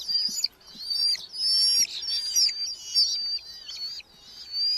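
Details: Red-footed falcons at a nest box in a breeding colony in Hungary, with chicks and parents delivering beetles, July 10–12, 2025, give high, thin, squealing calls in quick overlapping bursts, one or two a second, over faint low thuds.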